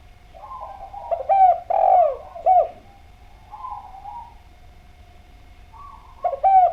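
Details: A clear-voiced spotted dove repeats loud, downward-bending coos in pairs and triplets. Quieter murmured notes fill the pauses between phrases, over a faint steady hum.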